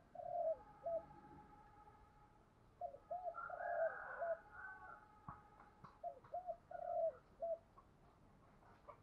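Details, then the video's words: Decoy spotted dove cooing to attract wild doves, with three groups of short, hollow, low coos separated by pauses. A rooster crows in the background and a few clicks are heard. "chim cu mồi thúc gù bài bản nhất hiện nay, chim cu gáy kích bổi hiệu quả nhất hiện nay"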